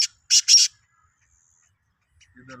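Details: Single harsh three-note phrase of a Sindhi black francolin, 16 March 2023, followed by silence and then a man's speech.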